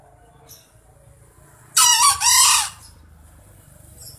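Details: Indonesian jungle fowl, said to crow every morning without fail, gives one loud harsh crow of about one second, rough and broken into two bursts, against quiet background.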